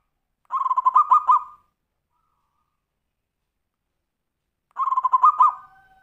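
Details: Zebra dove singing in the tumpang sari style, used as a lure to prompt other birds to sing: two mellow cooing phrases of quick pulsed notes ending in a louder accented coo, separated by about three seconds of silence.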